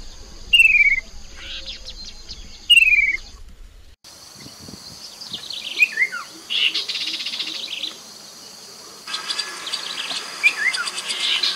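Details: Chestnut-capped babbler lure sound, Mekong riverbank, Nakhon Phanom, Thailand, 2021: two quick descending trills, then a noisier stretch with faint slurred calls among buzzing insects.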